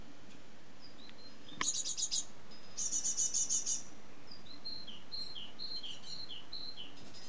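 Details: Great tit fledglings on their first day out of the nest, staying near it, give thin, very high chirps in two quick bursts of rapidly repeated notes, then softer scattered calls over a faint low background hum.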